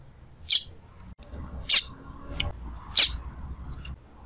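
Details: Female rusty-collared seedeater cheeping to warm up a male: three piercing, very high, short chips about 1.2 seconds apart. A few fainter high notes fall between them over low background rumble.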